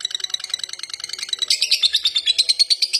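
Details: Lovebird chattering in a long ngekek run, quick shrill pulses that grow louder and harsher partway through and continue without a break.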